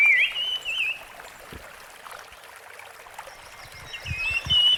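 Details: Rusty-fronted barwing singing in the wild: a loud, fluttering whistled phrase opens, the middle goes quiet with a trickling stream and soft thumps, then a clear wavering whistle returns at the end.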